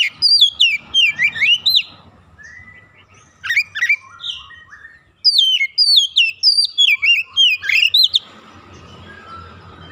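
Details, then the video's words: Active song of an untrained oriental magpie-robin unloading its fill: dense clusters of sharp up-and-down whistles in three main bursts, the last long and rapid, ending in soft background noise. "Kacer bahan langsung gacor bongkar isian"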